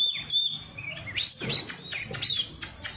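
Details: Oriental magpie-robin singing on a training recording for young birds: a steady high whistle, then rising and falling slurred notes and sharp flicks, slightly softer, with faint low hum behind.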